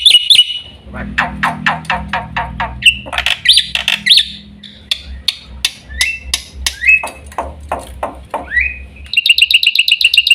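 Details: Black-winged myna, known locally as jalak putih, singing a varied jumble of harsh squawks, rapid clicking notes, short rising whistles and a buzzy repeated phrase at the end.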